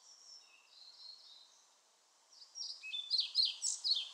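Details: European pied flycatcher singing: faint high notes at first, then a loud rhythmic burst of sweet, high, slurred notes repeated quickly over the last second and a half.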